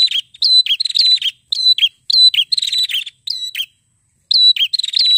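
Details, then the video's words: A prinia ("prenjak kepala merah") sings loud, buzzy, high chirping phrases, each a rapid burst of scratchy notes, repeated almost twice a second with short pauses. "suara prenjak fighter gacor ngotott"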